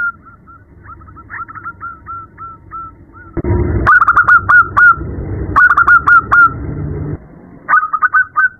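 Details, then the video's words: Female zebra dove calling a male at night: rapid series of short cooing notes, about four per second, with louder bursts midway and a low rumbling background. "Terapi perkutut malam hari | suara betina memanggil jantan"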